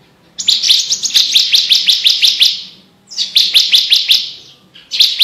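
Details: Javan bush lark singing loudly for training competition birds, two long bursts of rapid, evenly spaced high sharp chirps, each lasting over two seconds, separated by a short pause.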